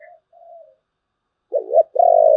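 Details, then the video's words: Spotted dove singing in the 'thổ bầu' voice style: two soft, low hollow coos, a pause, then a loud wavering double coo and a long sustained coo at the end. "cu gáy giọng thổ bầu, nghe cũng hay phết"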